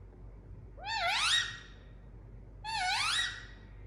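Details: Two loud squawks from an Indian ringneck parrot, each sweeping upward in pitch with many harsh harmonics, nearly two seconds apart, against steady low background hum.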